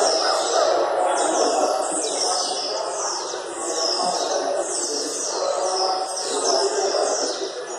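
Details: Blue-black grassquit (tiziu) at a singing tournament in Jacarepaguá, Rio de Janeiro, gives a high, buzzy two-part note, repeated roughly once a second over a steady bed of crowd chatter and other background voices.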